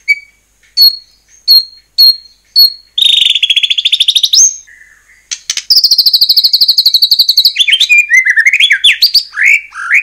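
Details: White-rumped shama song used to provoke shamas into singing: a few evenly spaced pure whistles, then a long rapid rattling trill, a second high trill and a closing run of varied slurred notes.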